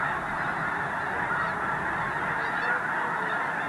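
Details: Geese calling before their dawn departure from Squaw Creek National Wildlife Refuge, Missouri, on a dark overcast morning; a thick, unbroken blend of many honks, a few clearer individual notes standing out.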